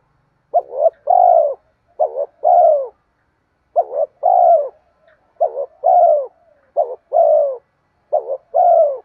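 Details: Spotted dove cooing as a lure for wild doves: seven evenly spaced phrases, each a stuttered double note then a sustained, gently falling hollow coo, clean with no other sounds.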